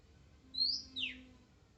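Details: Single phrase from a wild Oriental magpie-robin: a clear rising whistle that breaks into a steep, buzzy descending sweep, with quiet low background hum.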